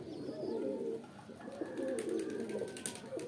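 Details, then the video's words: Pigeons cooing: low, throaty, rolling coos rise and fall in overlapping bursts with a brief lull near the middle. Faint higher chirps from other small birds come in later. "Kabutar | Pigeon Videos | Kabootar Ki Video Episode-4 | Birds Sounds"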